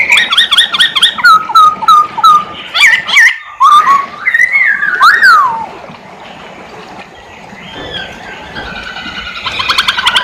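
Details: Masked laughingthrush singing actively. A fast series of sharp whistled notes with chatter leads into slurred whistles, then a quieter gap. A rapid burst of high, clicking notes closes the passage.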